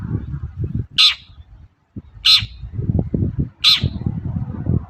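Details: Long-tailed shrike calling in the morning to provoke other shrikes to answer: three loud, harsh, grating squawks roughly 1.3 seconds apart over continuous low rumbling noise.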